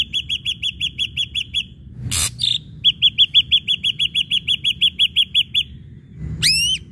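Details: Repetitive ashy drongo lure song: fast strings of crisp, evenly spaced notes, broken by a harsh crackling burst, then resuming for about fifteen notes before a rising arched whistle.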